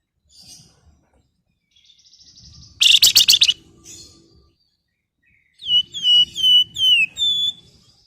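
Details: A female flamboyan calls to a male with a loud burst of harsh, buzzy chattering. After a pause comes a series of five or six clear, high downslurred whistled notes.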